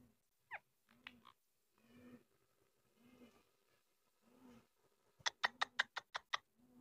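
A rose-ringed parakeet speaks in low, voice-like murmured phrases, then ends with a quick run of sharp, high chirps, about seven in a second.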